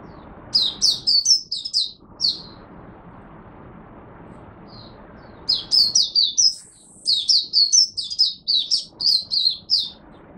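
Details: Singing Oriental white-eye kept in Singapore, humid, warm, rainy, overcast weather on 23 March 2023: an opening burst of high, quick chirps, a pause, then a long, fast run of slurred twitters.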